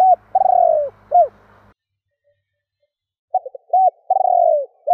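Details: Spotted dove calling to provoke rival doves: quick stuttered coos, a long burring descending note and a short arched coo, repeated after about two seconds of silence.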